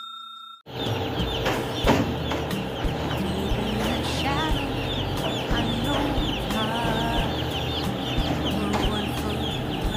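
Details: Broiler chickens on a farm gathering toward their keeper, who they take for a mother hen: many overlapping high peeps and soft clucks over a constant loud machinery hum, with occasional knocks.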